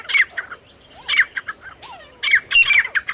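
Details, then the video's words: Male and female partridge (teetar) calling: loud, harsh squawking notes in short bursts with brief gaps, some with a thin whistled overtone, plus softer rising notes between the bursts. "नर और मादा तीतर साउंड। Male teetar and female teetar voice."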